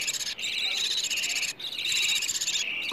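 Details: Budgerigar chicks begging for food, a sound played to stimulate budgies to mate, lay eggs and raise more chicks, morning and evening: dense raspy, buzzy chattering in long bursts, broken by two brief pauses.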